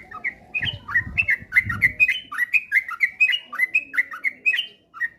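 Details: Lure song of the sooty-headed bulbul for getting birds to sing diligently: a lively stream of clipped, warbling chirps repeated quickly, a soft low rumble in the first two seconds.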